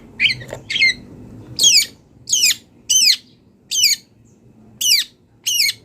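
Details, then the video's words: Wild long-tailed shrike singing actively with mimicked fill-ins. Harsh, rasping notes slide downward, each repeated about every 0.7 seconds in a regular series. "CENDET GACOR BONGKAR ISIAN | MASATERAN CENDET BURUNG LIAR"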